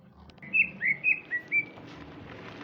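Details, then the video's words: Afternoon singing by a male Sumatran greater green leafbird in full voice: five sweet, slightly slurred whistles in quick succession, some rising and some falling, over a faint background hiss. "suara burung cucak ijo di sore hari"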